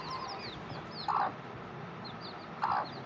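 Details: A hen with young chicks gives two short, gruff clucks about a second and a half apart, while the chicks keep up rapid, high, descending peeping throughout.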